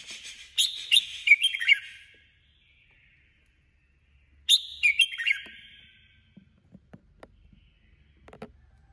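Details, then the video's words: Female decoy red-whiskered bulbul in competitive singing delivers two quick, ringing warbled phrases about four seconds apart, followed by scattered faint clicks and taps. "Chào mào hót đấu 2021| chào mào mồi 2021 | chào mào mái"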